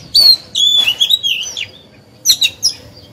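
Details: Oriental magpie-robin used as a lure bird to stimulate other birds to sing and to train young birds. It sings clear, high whistled phrases with sliding notes and quick chirps, in two bursts separated by a short pause.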